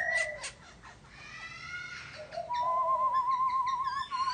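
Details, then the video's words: Laughingthrush voice with a couple of short sharp notes, a soft pause, then a long, evenly vibrating whistled trill sustained to the end, joined by faint higher chirps. "Chim Khướu kêu ríu rít"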